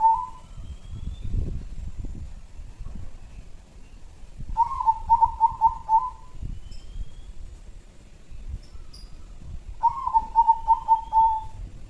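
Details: Local zebra dove lure bird from Jambi repeats its cooing phrase three times about five seconds apart. Each phrase is a quick run of pulsed, mellow coos ending in a longer note, over low background rumble and faint distant chirps.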